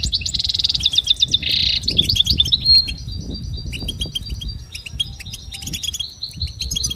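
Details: Goldfinch singing for training starts with two buzzy rasping trills, then shifts into a looser series of clear, repeated high tinkling notes and scattered chirps, with quiet low rumble beneath.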